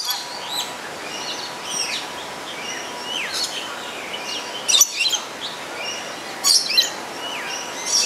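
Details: Pair of black-capped lories give two harsh, broadband screeches a couple of seconds apart, over a steady bed of thin, high chirps from other birds.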